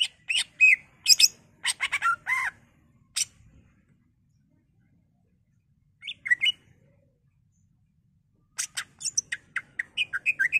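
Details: Greater green leafbird singing as a lure to prompt other leafbirds into song, with bursts of sharp chirps, clicks and slurred whistles separated by silent gaps, the final phrase a run of rising and falling whistled notes.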